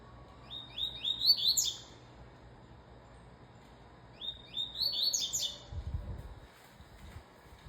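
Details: Double-collared seedeater singing two bright phrases about three seconds apart, each a run of rising slurred whistles that climbs into a fast, buzzy high flourish; a soft low thump follows the second phrase.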